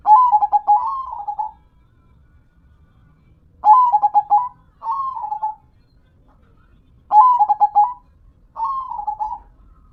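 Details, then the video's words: Local perkutut (zebra dove) in full manggung song, with four cooing phrases spaced by pauses. Each opens with a fast stutter of soft notes and ends in a gently falling coo, alternating long and short phrases, with a quiet background. "Dengar Dan Rasakan Manggungnya, Suara Serta iramanya BIKIN CANDU"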